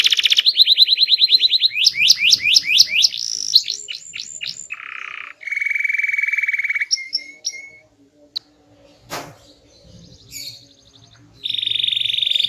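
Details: A small canary sings loud, varied tours: a rapid high trill, repeated upward-sweeping notes, a low nasal buzz, a long low steady tone, scattered short whistles and a click, then a final high trill.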